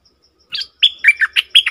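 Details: Bulbul, known locally as merbah lekir, recorded on 20 March 2022, gives a fast run of six liquid chirping notes. A short warble is followed by rapid paired, rising and falling whistles, against a near-silent background.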